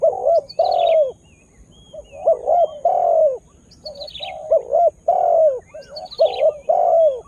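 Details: Spotted dove used as a lure bird to draw wild birds, a young male just starting to call; phrases of low hooting coos around 500–1000 range, short notes then a long descending coo, repeated in bursts, with thin high chirps from smaller birds between.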